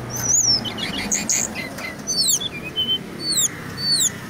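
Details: Indonesian Brown-chested jungle flycatcher in gacor song: thin, high, descending whistled slurs and short sweeping notes, scattered with little gaps, fairly soft against a hazy background.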